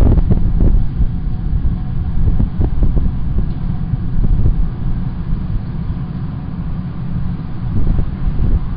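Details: Heavy, loud low rumble of urban traffic and wind, with occasional thumps and no bird calls.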